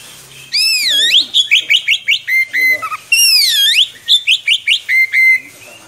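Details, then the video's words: Energetic Oriental magpie-robin giving long rolling song for tutoring young birds: a bright swooping whistle, a string of short rising notes ending in a steady whistle, then the pattern repeated almost exactly. "Kacer Gacor Ngerol Panjang"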